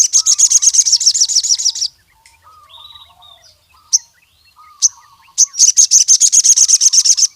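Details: Male ruby-cheeked sunbird (sogon) calling rival males: two long bouts of rapid, evenly repeated high notes, separated by a pause filled with a few isolated sharp chips and soft lower twittering.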